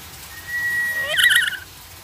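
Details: Black-capped lory, a talking parrot, saying "selamat sore" (good afternoon): a long steady whistled tone, then a short, harsh, voice-like burst with rich overtones and falling glides.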